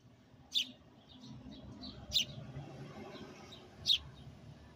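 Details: Sparrow heard up close just outside a window: three loud, sharp chirps roughly every one and a half seconds, with softer faint chirping between them over a low background hum.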